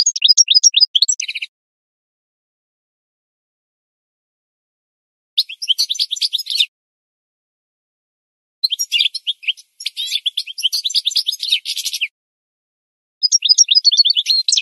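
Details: Goldfinch singing in a training recording meant to help birds learn: four bursts of rapid, high twittering and buzzy trills, each lasting one to three seconds, separated by several seconds of silence.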